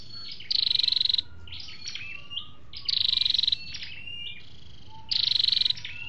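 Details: Flowerpecker lure recording with male and female sounds: a fast, buzzy high trill returns three times, with thin falling whistles and faint twittering in the gaps.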